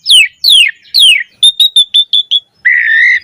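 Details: Black-collared starling song with imitated phrases, meant to trigger other starlings: three long downslurred whistles, a quick string of six short level piping notes, then a sustained, nasal, steady tone.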